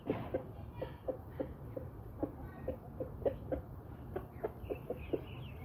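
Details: Hens and roosters of the Brahma breed, pet birds, clucking in an even, rapid series of short low notes, about four a second, with a few faint high chirps near the end.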